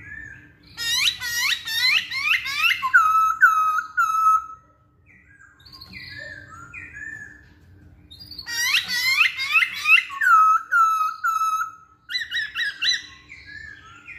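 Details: Masked laughingthrush singing, a recording used as a lure to prompt other songbirds to sing. Bursts of harsh, rapid descending notes slide into clear whistles. The pattern repeats twice, with quieter chatter and short whistles between bursts.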